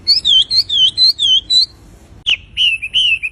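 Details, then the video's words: Lively, melodious wambi song: a quick series of rise-and-fall whistled notes, about four each second, then a pause, one sharp note and wavering whistles. "SUARA GACOR DAN MERDU BURUNG WAMBI"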